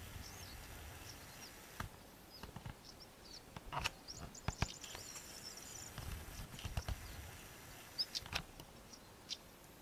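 European stonechat giving sharp, scattered stone-tapping ticks with a few faint thin whistles, against steady low wind rumble.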